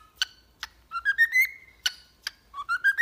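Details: Cockatiel song for training a pet bird to sing: sharp chirps around a long whistled phrase that climbs and holds, then a short rising run of notes at the end.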